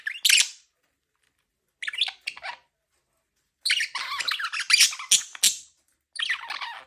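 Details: Indoor pet budgie giving rasping, chattering warble: a short squawk, then a brief cluster, then a longer two-second stretch of rapid scratchy chirps, followed by another burst.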